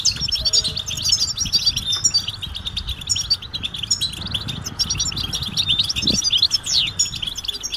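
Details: Group of European goldfinches giving mating and readiness calls meant to stimulate males to sing; a dense, continuous chorus of high, twittering chips and short tinkling trills overlapping throughout, over a faint low hum.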